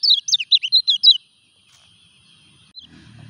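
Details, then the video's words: Kecial kuning in moult giving a brief burst of about eight fast, high slurred chirps, followed by near silence and faint low noise. "KECIAL KUNING NGURAK TETAP EKSIS"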